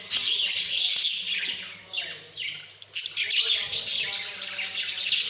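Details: Pet budgerigars recorded on 28 October 2023 chatter in a dense, high-pitched mix of chirps, warbles and quick squawks.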